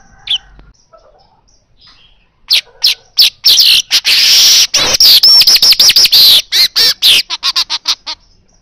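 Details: An Asian golden weaver gives a fast, buzzy, sizzling chatter of dense wheezy notes and rattles. It starts after a quiet pause and runs on for several seconds.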